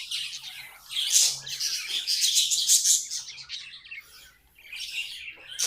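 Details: Several pet budgies pour out a rapid, rasping, high chatter of overlapping chirps and buzzes, then fade briefly before one sharp tweet closes the passage.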